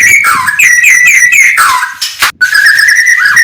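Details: White-rumped shama singing in the morning: loud, clear whistled phrases around a steady mid pitch with slurred up-and-down notes, a brief break, then a sustained whistled run.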